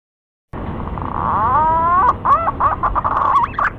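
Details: Male green pigeon calling to a female, used as a lure call: after half a second of silence a long, smoothly rising whistle with strong overtones, followed by quick warbled, looping whistled notes.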